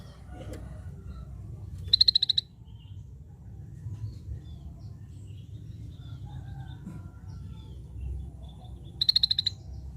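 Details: Two separate bursts from a scaly-breasted bulbul, each a short rapid volley of sharp, high ticking notes, spaced about seven seconds apart over a steady low rumble and faint scattered chirps.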